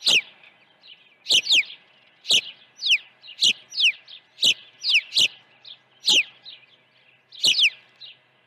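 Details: Osprey at its nest on Dunrovin Ranch, early feeding, morning of 1 June 2019: insistent high chirps, often in quick pairs, each note sliding downward, repeated about once a second with softer notes between.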